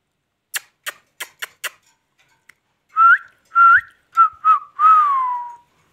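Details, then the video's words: Pet rose-ringed (ringneck) parakeet talking: five sharp clicks, a short pause, then five tonal, voice-like syllables near the same pitch, the last one drawn out and gently falling, in a quiet room. "beautiful ringneck talking sweet parrot"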